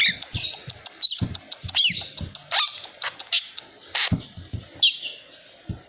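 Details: Three-month-old long-tailed shrike, a lively young bird that keeps calling despite its tail feathers being pulled; brief high chirps and a few downslurred squeaky notes amid frequent dry clicks and tapping sounds.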